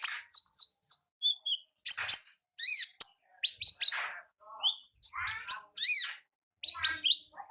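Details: Wild olive-backed sunbird giving a busy, high-pitched song of sharp chips, quick rising and falling slurs and short buzzy notes, delivered in irregular clusters without pause for long.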